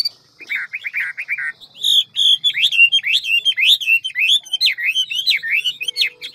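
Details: Hwamei, ngũ trường type, singing quickly in many voices in forest style: a short burst of trilled notes, then continuous wavering whistled phrases that rise and dip rapidly.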